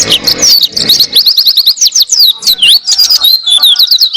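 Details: Tutor song of an Oriental white-eye for teaching caged songbirds: an unbroken stream of very high, quick, slurred whistles and twittering trills, bright and clear throughout.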